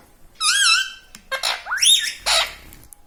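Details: Pet parrot talking in a small room, reported to say "Mummy" and "Papa"; a wavering sustained squeak, then rising, scratchy voice-like syllables and a harsh closing squawk.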